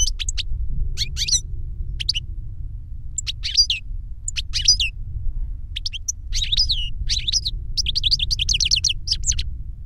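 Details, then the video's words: European goldfinch song in Spanish silvestrismo, from a caged master singer or the novice it taught via a CD of its song: clusters of sharp high chirps and trills separated by pauses, ending in a fast tinkling run, steady low hum behind. "Jilguero maestro cantando reclamo y enseñando a otro jilguero novel"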